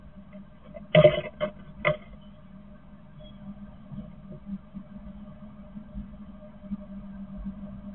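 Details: A few sharp knocks near the first and second seconds over a low, steady electrical hum, with no animal voice.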